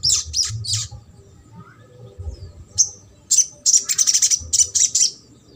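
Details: Sogok ontong in trotol style, played to stir a lazy bird into song: opening bursts of high chatter, a quiet spell with one soft slur, then quick, repeated sharp chirps, roughly three a second.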